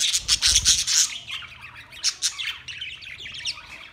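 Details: Green parrots giving harsh, buzzy squawks in a rapid run of loud bursts at the start, then scratchier, softer chattering calls that trail off irregularly.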